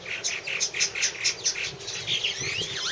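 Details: Purple martins calling at a nest house in 2014: a steady run of rhythmic chirps about every fifth of a second, followed by rising and falling gurgled slurs.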